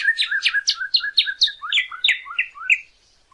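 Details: Northern cardinal song for teaching a pet bird: a quick run of paired sharp-and-falling whistled notes, slowing into a few downslurred whistles before fading out.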